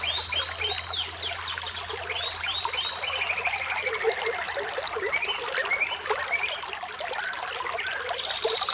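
Several birds chirp in quick, high, overlapping twitters and short trills throughout, over a steady wash of running water.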